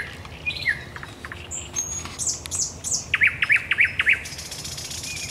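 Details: Thrush nightingale singing at night at Raszyn Ponds, Poland, 10 May 2021: scattered high whistles and chips, then a loud run of five sharp, evenly spaced notes, about four a second, over quiet background.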